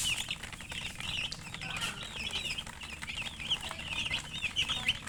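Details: Chicken chicks chirping: many overlapping high peeping notes, thin and wavering, in a continuous busy chorus with soft background rustling.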